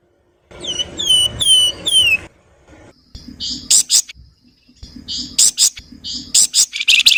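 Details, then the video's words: Flowerpecker (flamboyan) singing in mixed styles: three to four falling whistled notes, then a pause and repeated sharp, buzzy chattering bursts in the nyerecet manner. "SUARA MERDU BURUNG FLAMBOYAN GACOR NYULING, NYIUL NYERRECET"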